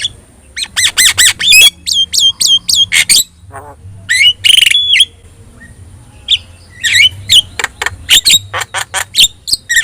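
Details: Javan myna, yellow-eyed, singing vigorously for use as a training recording for other birds: bursts of harsh squawks and rapid chirp series, separated by short pauses, with a steady high whine and a low hum behind.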